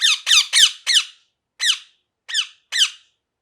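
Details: Parrot calling: four harsh, raspy high squawks in quick succession, then three more spaced about half a second apart, each note sliding downward with a rich buzzy tone; otherwise quiet.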